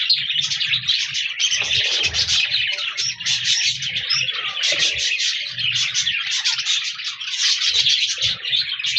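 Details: Budgerigars, colourful parakeets, chirping and singing in a busy chorus: dense, overlapping warbled and scratchy chatter running continuously, with faint low thumps and flutters underneath.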